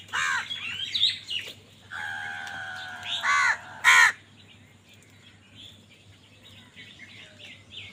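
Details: Amid a scramble among crows for food, a drawn-out nasal call is followed by two short, loud caws. Many small birds chirp before and after.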